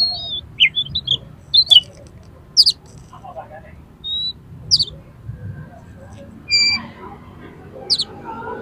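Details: Aroused oriental magpie-robin in fighting song, used to make other magpie-robins spread their tails; repeated sharp downward-sweeping high chips every second or so, interspersed with brief whistles and soft lower warbles.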